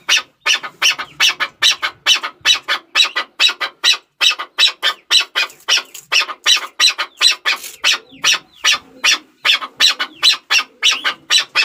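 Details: A Chukar partridge gives a long run of rough, clipped notes, fast and somewhat uneven, with occasional thin squeaks in the background.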